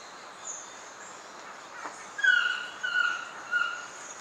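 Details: One song phrase of a Black-mandibled toucan, Pierella Ecological Garden, January to March: after a faint click, a loud harsh yelp followed by two fainter descending yelps, over a steady background hiss.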